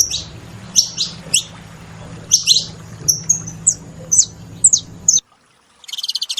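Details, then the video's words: Saffron finches giving clear, sharp chirps spaced about half a second apart, each a quick downward-sweeping note; the sound cuts off near the end, then a brief rapid rattling series begins. "Canarinhos da terra fazendo barulho"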